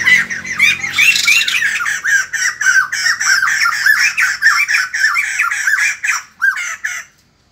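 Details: Morning song of the white-crested laughingthrush: loud, rapid, raucous chattering and squawking bursts pouring out continuously, each note slurred and harsh, tapering into a few last squawks before silence near the end.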